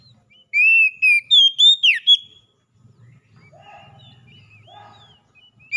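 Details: Oriental magpie-robin song played to captive birds to encourage singing: six quick, loud whistled notes with a falling swoop, followed by soft low warbling and murmuring in the background.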